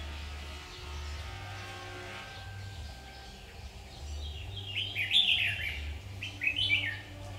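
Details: Red-whiskered bulbul, trapping session of 7 August 2019. After several quiet seconds of low mechanical hum, two quick chirpy warbled bursts ring out close together near the end.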